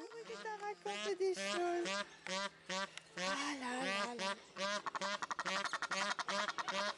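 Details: Egyptian goose at Zoo d'Upie bird garden, Drôme, France, giving harsh, nasal honks in rapid repeated bursts, speeding into a quick cackling series; a person nearby remarks it isn't happy.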